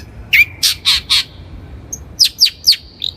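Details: Long-tailed shrike (cendet) lure song used for training untrained birds: four rasping harsh notes in quick succession, then a pause and three sharp, downward-swept whistled notes ending in a faint twitter.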